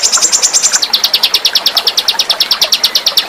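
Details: Small songbird with a sharp, piercing song meant for tutoring pet birds: a quick high trill, then a steady series of rapid, evenly spaced chirped notes repeated about five per second.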